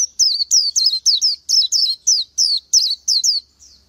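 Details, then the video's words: [2, 'Oriental white-eye giving a rapid, continuous series of high sweet notes, each a quick slurred drop, roughly three to four per second, with no other sounds.'] "Chim hót hay Vành Khuyên họng vàng đông dương | นกแว่นตาขาวสีทอง| Oriental White-eye"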